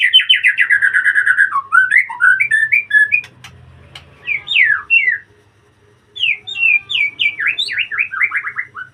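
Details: Caged white-rumped shama singing in a breeding enclosure: rapid series of loud whistled notes, then varied rising and falling phrases and sweeping slurs, a short pause, and more fast, bright repeated whistles.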